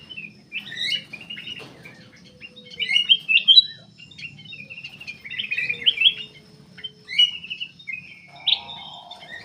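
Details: Black-capped bulbul singing nonstop, played to coax other birds into singing: dense jumbled whistled and chirped phrases repeated in bursts every second or two, ending with a buzzy lower trill, faint low hum throughout.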